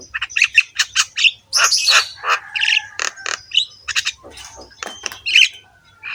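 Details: Rough-voiced Javan myna (jalak kebo) in full song, nodding its head: dense rhythmic squawks and clicks, a buzzy rasp, and short whistled phrases repeated quickly.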